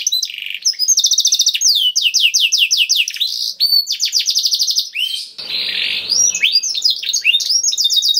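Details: Canary song intended to stimulate other canaries to sing, with rapid high trills, runs of sweeping whistled notes and a brief harsh buzzy passage near the end before trilling resumes.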